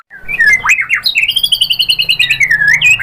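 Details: White-rumped shama singing to provoke answering shamas, opening with swooping whistles, then a fast, even trill of bright notes running for about two seconds.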